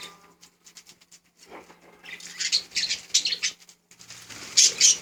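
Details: Budgerigars producing quick, high, buzzy chirps in uneven clusters, starting with soft ticking and building to louder chattering bursts toward the end.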